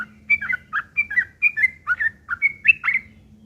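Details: Lure recording of a yellow-vented bulbul's aggressive fighting song, rough and chattering, meant to provoke replies: a steady string of quick slurred whistled notes, each dropping then rising, about three per second, with a low background hum.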